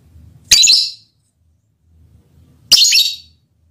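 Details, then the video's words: Mating call of a lovebird aimed at its male partner: two loud, harsh, shrill chirps about two seconds apart, with only a soft low rumble between them. "Lovebird's mating call and its effect on the male partner"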